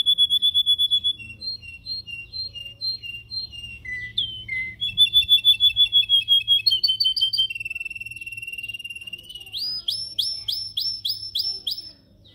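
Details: Canary singing in a cage for training: steady whistled trills, dropping notes, a long rapid rattle of repeated notes, then rhythmic upswept chirps repeated about twice a second.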